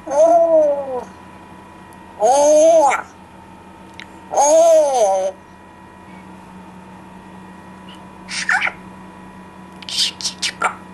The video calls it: Cheerful talking parrot makes sounds